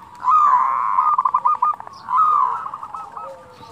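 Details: Local zebra dove delivering "kerot" and "bekur putar" cooing meant to stimulate other doves: a long, steady mellow coo breaking into a trill, then a second rising coo fading into clipped notes.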